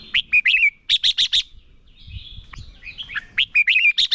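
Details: Competitive song of a decoy red-whiskered bulbul for training birds: a few quick warbled whistles, then a burst of four sharp ticks, a softer scratchy middle, and more whistled notes and clicks at the close.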